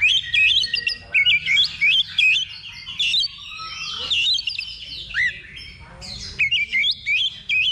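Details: Oriental magpie-robin singing in a practice contest simulation at level 2, before real competition: repeated short phrases of sweet, looping whistles delivered quickly with brief breaks, and other birds sounding behind it.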